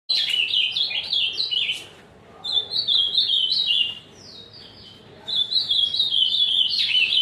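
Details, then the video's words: Azulão fibrado singing strongly: rapid series of high, slurred up-and-down whistled notes in bursts of about two seconds, separated by short pauses, with a faint buzzy background. "azulão fibrado cantando muito"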